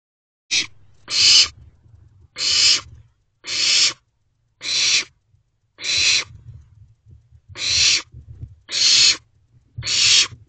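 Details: Owlets in a nest box at night, 2:26 am on 28 May 2023: a series of nine harsh, breathy hissing bursts, each under half a second, repeated about once a second with faint low rumbling between.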